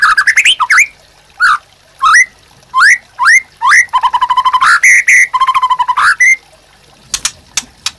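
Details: Vigorous white-rumped shama master song for training birds: quick rising whistled notes, a rapid buzzy repeated trill, more upslurred whistles, and a few sharp clicks at the end.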